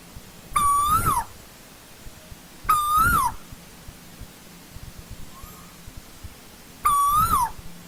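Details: Asian koel from old-growth forest repeating a ringing whistled note three times, about two to four seconds apart, each flat then briefly rising and sliding down. A soft, distant note is heard between them, with low steady hum.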